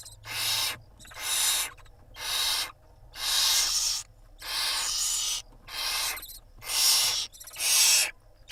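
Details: Barn owl family on a live nest camera in Israel, 26 April 2021, as the mother preens her babies. Nine rough, breathy hissing bursts follow one another about once a second in a steady series.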